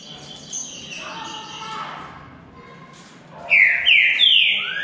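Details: Green-winged saltator in a two-bird singing contest; faint muffled sounds give way to three bright, loud downward-sliding whistles in rapid succession at the end.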